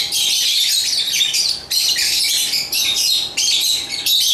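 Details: African lovebirds of the genus Agapornis give rapid, rasping high chirps in bursts of one to two seconds, separated by short dips, with a low steady hum in the background.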